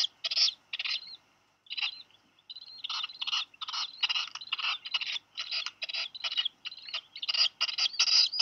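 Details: A Black guillemot chick, about 11 days old, at Seal Island National Wildlife Refuge, Maine, on 8 July 2020 at 2:58 PM, after dropping a fish beside its sibling, gives thin, high, wheezy peeping notes in quick uneven runs.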